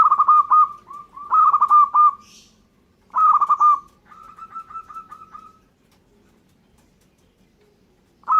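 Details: Local zebra dove singing actively: three bursts of fast, rolling, stuttered coos, each ending in a drawn-out note, then a softer trill of evenly spaced coos before a pause and the start of another phrase.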